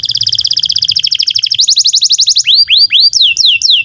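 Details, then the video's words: Canary delivering masteran song to teach young or silent canaries: a very rapid buzzy trill, a faster rising trill, then spaced loud downward-swooping whistles. "SUARA BURUNG Kenari GACOR PANJANG INI Cocok untuk Masteran KENARI PAUD dan Kenari Macet BUNYI"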